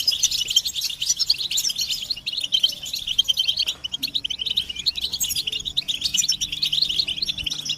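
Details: European goldfinches twittering together to rouse males from silence, with mating and readiness calls: continuous high, jangling chirps and trills, and a faint steady low hum in the background from midway on.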